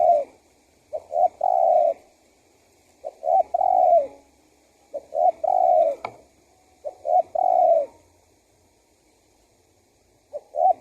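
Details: Lure call of a spotted dove meant to make wild doves answer and come close: repeated three-note cooing phrases, short-short-long, the last coo drawn out and falling, about five phrases with brief pauses.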